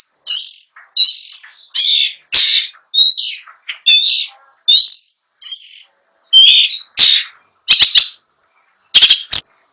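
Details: Long-tailed shrike giving a rich, varied song in continuous rolling delivery: a steady series of short whistled slurred notes about one per second, varying in pitch, followed by sharp clicking bursts.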